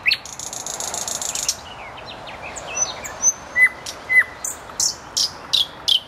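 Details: Common nightingale singing near a road: a harsh buzzy rattle for over a second, soft whistles, then a steady run of loud, repeated clipped notes.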